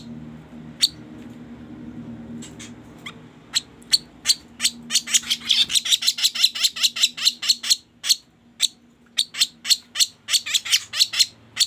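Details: Sooty-headed bulbul, a lure call for catching birds: sparse single buzzy notes at first, building into a dense, fast run of harsh chips, then settling into a regular series of sharp notes.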